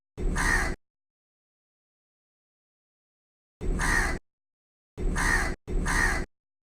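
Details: From a tree, a crow gives one hoarse caw, falls silent for about three seconds, then returns with three more, the last two close together.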